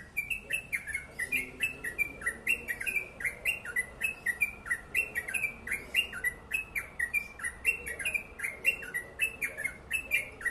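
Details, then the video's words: Sustained fast ropel song of a yellow-vented bulbul: dense runs of bubbly, slurred chirps bouncing between higher and lower notes, rhythmically pulsing with brief dips in loudness. "Crucukan ropel panjang gacor sped rapat"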